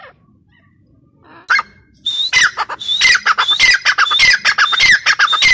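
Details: Teetar, or grey partridge, starts after a quiet gap and one short note, then calls in a rapid, rhythmic series of harsh notes topped by thin whistles, growing steadily.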